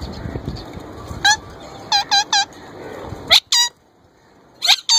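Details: Plum-headed parakeet, a young male, copying ringneck parrot voice and trying to talk: clipped, harmonic squawks in pairs and triplets, then two sharper screechy notes, a short silence and a final pair of squawks.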